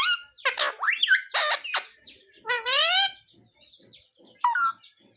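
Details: Talking pet parrot imitating words like sita-ram and jai shree ram; rapid harsh syllables followed by a longer rising harmonic cry, then quieter chirps and a final short squawk.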